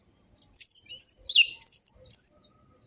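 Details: Orange-headed thrush song for stimulating captive birds that have stopped singing: five varied high phrases of warbling, twisting notes and a lower downward slur, separated by short pauses.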